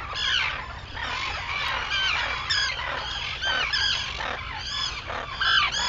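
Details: Arctic terns at sunrise on Seal Island, Maine, 11 June 2018: many harsh, grating calls overlap continuously in a dense colony chorus, with a steady low rumble underneath.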